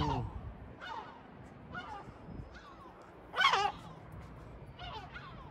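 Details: Sea gulls in Batumi, Georgia: repeated falling, mewing calls spaced about a second apart, one much louder, harsher cry standing out midway, with faint low background noise.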